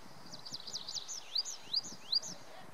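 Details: Song of a tree pipit, Wildewiese ski area on the Schomberg, Sauerland, North Rhine-Westphalia, early June 2019: quick wavering high notes leading into four or five stronger ringing upslurred notes, each roughly a third of a second apart.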